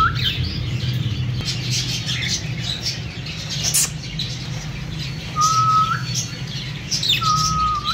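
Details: Breeding pair of cockatiels; two clear whistled calls about two seconds apart, each a level note that turns sharply upward at the end, heard over a steady low hum and light rustling.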